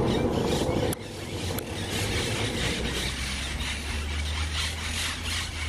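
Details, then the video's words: Monk parakeets giving harsh, grating squawks in quick, uneven succession over a steady low rumble of traffic or engine noise. "Caturrita ou cocota"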